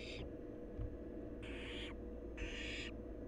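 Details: Wild barn owl nestling at its nest: three harsh, broadband hissing screeches, each about half a second, around one second apart, over steady low background hum.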